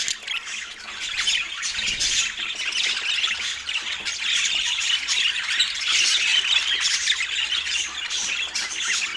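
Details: Autumn morning mealtime for a pet parakeet; dense high squawky chatter, quieter at first and then louder and steadier from the middle onward, with one low thud early on.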